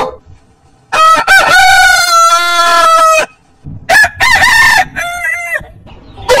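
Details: A rooster gives a loud, drawn-out crow lasting about two seconds on a steady tone, followed by shorter, choppier crowing bursts and clucking-like notes.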